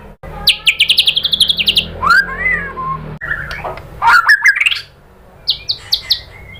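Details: White-rumped shama lure song: a fast descending series of clipped notes, a wavering rough phrase, then buzzy rising notes and a few short high chips after a pause.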